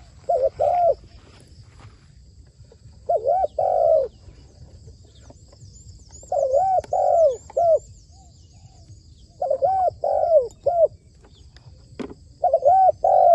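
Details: Spotted dove kept as a trained trapping decoy, calling in repeated bursts of three to four throaty, wavering coos roughly every three seconds, with faint high chirps and a steady high insect drone behind.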